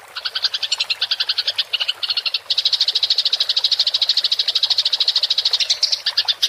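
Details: House sparrow rolling chatter from a fighting bird, kept as tutor sound for songbirds: choppy bursts of high chirps at first, then a dense, continuous rattle of rapid notes.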